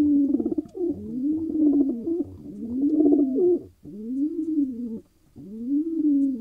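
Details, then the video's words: Wild male pigeon in Israel, happy after finally finding a mate, gives low arched coos that swell and fade, several in a row with short breaks between them. "He got his lady: Pigeon male happy after finally finding a mate."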